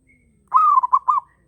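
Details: Single phrase from a local zebra dove in breeding condition: a drawn-out rising coo that breaks into two quick bubbling pulses, in quiet surroundings.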